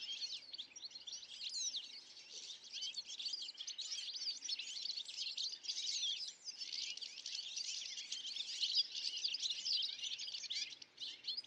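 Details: European goldfinches flocking in Illinois, USA: many birds twittering at once in a steady, bright stream of rapid chirps and short trills that barely pause, with a brief dip near the middle.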